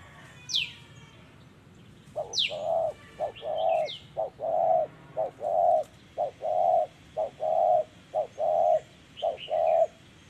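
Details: Spotted dove in a decoy-trapping setting, cooing in the 'giọng thổ' style. A steady run of about ten phrases alternates short and longer hollow, low coos, roughly once a second. High, falling chirps of other birds come near the start.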